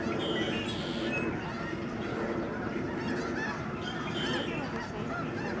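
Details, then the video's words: Massed snow geese flying over Alaksen National Wildlife Area, Delta, British Columbia, in late March 2011, keep up an unbroken din of high, nasal honks and yelps from a vast flock. "Snow geese flying and honking"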